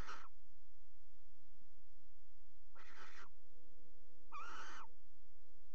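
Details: Three scattered hoarse hissing screeches from a barn owl at its nest box in the Axel water tower, 5 February 2018, while the pair mates on the rim; quiet pauses of about 1.5 seconds between calls.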